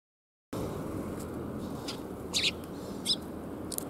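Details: Bold sparrows greeting on the way, recorded 27 April 2021: a few short, sharp high chirps, spaced about half a second to a second apart, over a steady low background hum.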